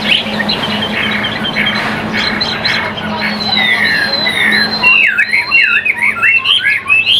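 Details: Chinese hwamei kept in a cage in Vietnam; steady background noise fills the opening seconds, then clear looping whistled phrases burst out, repeated quickly and rising toward the end.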